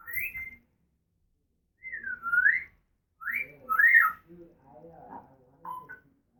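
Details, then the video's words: Female pet African grey parrot whistling: a series of loud, sliding whistles that rise and fall in pitch, some in two-part swoops, with softer murmured, speech-like sounds between them. "African Grey Talking and Making Noises"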